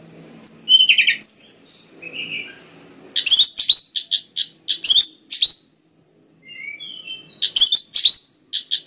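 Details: Dense, continuous song of an orange-headed thrush (anis merah), used to encourage other birds to sing. Scattered soft whistles open into a long series of sharp, high, evenly spaced notes, then low slurred whistles and more staccato notes.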